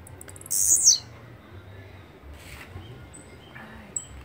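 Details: Blue-black grassquit song: a single high, rasping buzz that drops at its end. Faint thin whistles and soft chirps follow.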